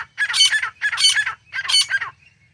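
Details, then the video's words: Three loud, harsh phrases from a grey francolin (gora teetar), each a rough, chattering burst about half a second long, spaced evenly and set against a faint low hum. "گورا تیتر ۔۔۔۔۔ شکار کے لئے بہترین آواز | Grey Francolin"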